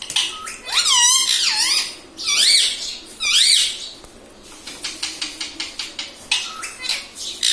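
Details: Talking pet Indian ringneck parakeet, known for saying mummy, papa and radhe radhe, gives three shrill up-and-down warbling speech-like phrases, followed by a rapid series of dry clicking taps.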